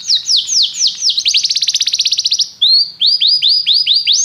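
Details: Canary song opening with slow downslurred whistles, then a fast rolling trill that drops lower and speeds up, followed by evenly repeated rising whistles.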